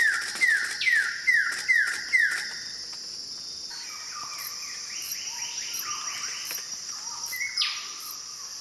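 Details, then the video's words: Wilson's bird-of-paradise in the Arfak Mountains, West Papua: a run of five sharp, down-slurred notes, then a quicker series of lower, softer notes, all over a steady high insect drone. "Wilson's Bird of Paradise"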